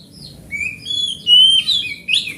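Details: Large forest oriental magpie-robin, a grade A hobby bird, singing to lure other magpie-robins that have stopped singing; clear, loud, high whistled phrases, rising and sliding, with a bright sweet note in the middle and a sharp upward flourish.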